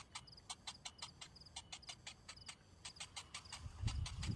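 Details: Hungry young cinnamon bittern begging after its parent returns without food: evenly spaced dry clicks, about three per second, ending with loud low rustling thumps.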